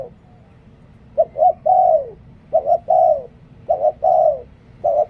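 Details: Cooing of a spotted dove decoy bird: after a brief pause, three phrases follow each other quickly, each a pair of short notes and a longer falling coo, mellow and low-pitched.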